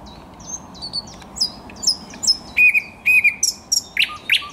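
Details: Thrush nightingale singing on 10 May 2021: sharp high whistled notes and clicks delivered in quick varied bursts, then louder repeated downslurred phrases and piping notes near the end.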